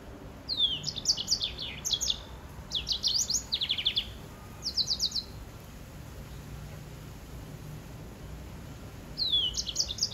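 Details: Captive hybrid finch (greensinger, white-rumped seedeater or grey singing finch cross) singing bursts of high, fast, buzzy trilled phrases, each under a second, repeated several times with short pauses, then a long gap before one more phrase.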